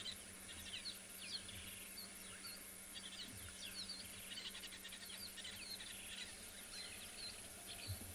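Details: Red-billed buffalo weavers at sunrise near water, calling to each other about their large multi-chambered nest above them: busy, squeaky chatter of quick chirps and twittering notes over insect hiss and a low hum.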